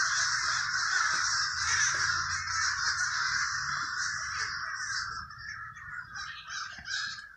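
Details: Crowds of crows over the Villa Park neighborhood in Trenton, New Jersey; thick overlapping caws fade toward the end into separate, choppy caws and short bursts.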